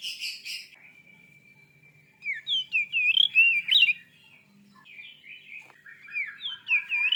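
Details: White-rumped shama song for rousing a listener's shama, opening with a buzzy burst and long steady whistle, then swooping fluty phrases in energetic bursts with short breaks.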